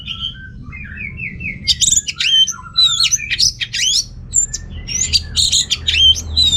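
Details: Song of an orange-headed thrush meant to prompt males lacking breeding urge: a long, lively stream of high twittering, slurred whistles and sharp chip notes, densely packed and continuous, with faint low hum behind.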